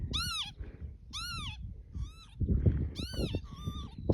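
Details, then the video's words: A mating pair of Northern lapwings on Barden Moor near Skipton in June give wheezy, slurred peewit calls that rise then fall, about five in four seconds, over steady low wind rumble. "The Incredible sound of a mating pair of Lapwings"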